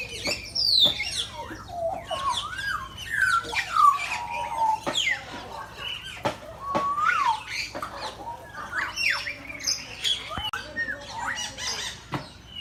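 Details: Many birds calling at random in a Gazipur, Bangladesh safari park: varied whistles that wobble up and down, sharp clicks and high squeaky chatter, continuous and overlapping for the whole stretch.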